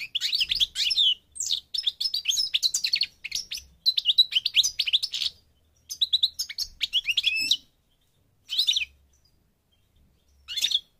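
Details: Parva goldfinch from North Africa in Morocco pouring out long bursts of rapid, liquid twittering, the phrases growing sparser and separated by silences toward the close.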